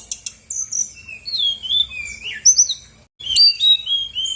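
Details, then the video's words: Singing brown-chested jungle flycatcher, played as a lure for lazy birds: a rapid, varied string of clear high whistles, some rising, some falling, with a short pause before a fresh burst. "PANCINGAN SRDC GACOR BONGKAR ISIAN/BURUNG MALAS BUNYI AUTO EMOSI RESPON NYAUT!!!"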